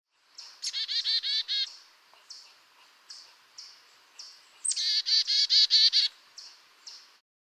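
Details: Carolina chickadee (Poecile carolinensis), chickadee-dee call: more 'dee' notes signal a more irritated bird.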